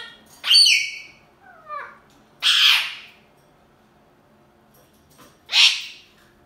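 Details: Two pet ringneck parrots arguing, giving loud, harsh, rasping squawks, each about half a second long, with a softer descending chatter between them and quiet pauses of a second or more.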